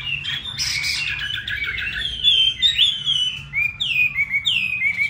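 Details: Caged Chinese hwamei from Hà Nội in full song: a harsh, buzzy burst of notes gives way to clear sliding whistles, then repeated downward-curving whistled notes, several per second; low background hum.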